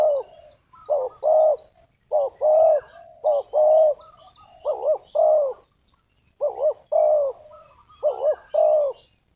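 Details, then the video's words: Spotted dove used as a decoy to call in wild doves for trapping, giving loud, mellow coos in groups of two or three, each phrase a short rolling note and a longer drawn-out one, repeated every second or so. "suara tekukur pikat, memanggil tekukur liar"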